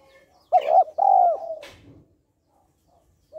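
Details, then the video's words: Female spotted dove calling to stimulate males: two quick soft coos followed by a longer, slightly falling coo, then a brief rustle and quiet, with a faint coo starting at the end. "Cu gáy mái kích trống/ tiếng cu gáy mái kích trống hay"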